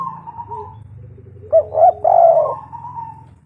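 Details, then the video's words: Spotted dove (local tekukur) giving a lure call: after a faint steady tone, two quick short coos and a long, throaty drawn-out coo, with a low hum underneath. "Tekukur lokal gacor suara paling ampuh untuk pikat"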